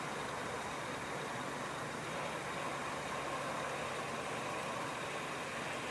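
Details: Steady vehicle engine idling with broad noise throughout, no animal voice heard.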